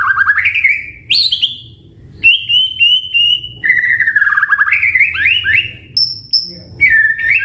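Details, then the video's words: White-rumped shama singing a clear varied song meant to draw replies from other birds: upward slurs, a long flat whistle, a wavering descending run, then a very high thin note and a falling whistle. "Pancingan Murai Batu AUTO NYAUT Langsung RESPON Bunyi - Masteran Suara Burung Murai Gacor Full Isian"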